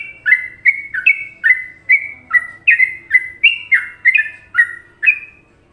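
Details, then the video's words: Sooty-headed bulbul masteran from Indonesia in the favoured Trucukan style: an even, rolling series of bubbly notes, each a quick upward or downward slur, about two or three each second, over a faint low murmur. "Masteran Trucuk Indonesia"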